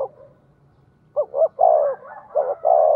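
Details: Spotted dove kept as a decoy, 'giọng thổ' voice: after a second of near-silence, two quick clipped coos lead into a long mellow hoot, a softer trailing note, then two more full coos.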